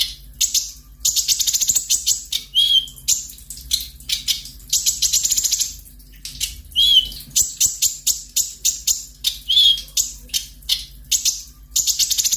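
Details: Sunbird (konin) singing in the sharp 'nembak tajam' style: rapid, dense, buzzy high-pitched bursts and trills in quick succession, broken by short pauses, with a few clear thin whistled notes mixed in.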